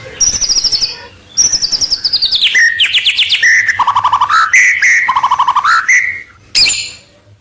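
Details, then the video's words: White-rumped shama singing a continuous lure song to bring rivals nearer: rapid descending trills, rattling phrases, and low buzzy runs strung together, ending with a sharp note. "Suara Pikat Murai batu paling gacor, Bikin lawan mendekat"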